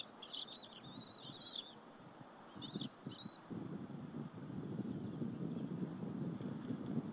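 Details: At the Berry College nest on April 30, 2015, bald eaglets share an afternoon squirrel meal with their mother: wavering high-pitched whistled chirps in the first three seconds, followed by rustling and low rumbling noise.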